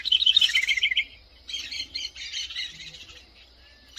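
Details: House wren singing a fast, high, chattering trill of evenly repeated notes lasting about a second, followed by softer scratchy warbled notes, over faint low background hum.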